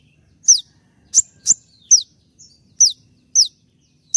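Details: Konin, a bird in molt yet in full voice, delivering 'tembakan' shooting song for training birds: high descending whistled notes, some in quick pairs, with brief gaps and a quiet background.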